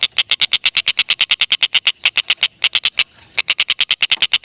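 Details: Stork-billed kingfisher from Indonesia in a lively, long cackling bout: rapid harsh ke-ke notes at an even fast pace, broken by one short pause before the series resumes.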